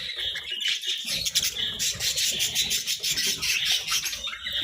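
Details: Budgerigars in captivity chatter as they feed on vegetables: a continuous flock warble of rapid, overlapping high chirps and buzzy twitters, with short sharper squawks standing out.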